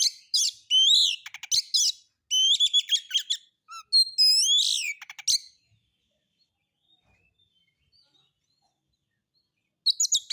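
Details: Oriental magpie-robin lure song, relaxed and of rough-style material to prompt other birds into singing: bursts of sweeping whistles and dense rapid buzzy notes for five seconds, then near silence before a brief final burst.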